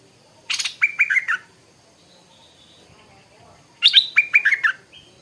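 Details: Stripe-throated bulbul in the morning, giving two loud phrases about three seconds apart, each a quick harsh chatter followed by bubbly, warbled notes, with a faint steady hum behind.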